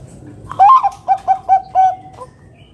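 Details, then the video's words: Loud local zebra dove (perkutut) song meant to draw other doves into singing: a rising first coo, four quick separate notes, and a longer closing coo, over faint low background hum. "Perkutut Bangkok gacor Suara KUNG BESAR Masteran Burung Perkutut agar Bunyi GACOR"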